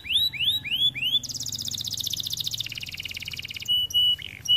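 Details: White canary singing a few strong upslurred whistles, followed by a fast buzzy trill that steps down in pitch, then brief clear flat whistled notes.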